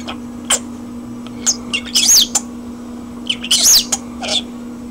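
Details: A pet common starling indoors, singing with short scattered whistles and chirps, two louder bursts of rising and falling whistled notes, over a steady low electrical hum.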